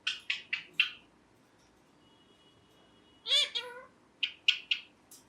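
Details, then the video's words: Pet green ringneck parrot indoors: four sharp, bright chirps in quick succession, a thin steady tone, then a harmonic, speech-like mimicked phrase followed by three more clipped chirps. "Parrot Chirping Sounds"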